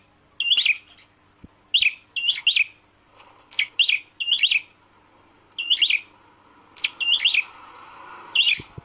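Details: A red-headed prinia (prenjak kepala merah), hung outdoors to tame it faster, gives loud, high, scratchy chirps in quick bursts, about one each second, over a faint low background hum.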